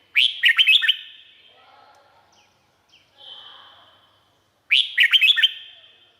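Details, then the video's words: Red-whiskered bulbul in Thailand sings two lively phrases of rapid bubbly whistled notes about four seconds apart, with a soft indistinct whistle and faint background sounds in the pause. "เสียงนกกรงหัวจุก สำหรับต่อ หรือ เปิดให้นกคึก เสียงเพราะๆ"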